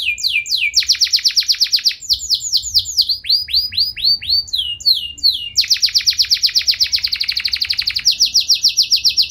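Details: Canary in strong continuous song that provokes rival canaries: sweeping slurred notes alternating with dense rapid buzzy trills and rattles, changing pattern every two to three seconds, delivered loudly with no background sounds.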